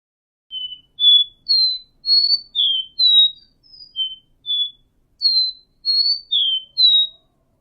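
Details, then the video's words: Seedeater song made of clean, pure whistled notes, each short and steady or slightly slurred, high-pitched and spaced about half a second apart, some rising and some dropping, in a quiet setting with nothing else heard. "5 CANTOS DE CABOCLINHO"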